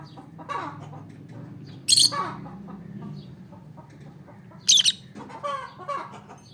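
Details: Shrill, high chirps from an olive peach-faced lovebird, two loud bursts about three seconds apart, mixed with rapid lower twittering notes and a low background hum.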